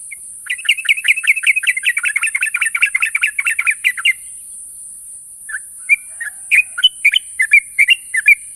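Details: In the morning a sooty-headed bulbul calls its companions. It gives a rapid four-second string of chirpy whistled notes, then pauses and follows with scattered louder, sweeter notes, all over a constant high hiss.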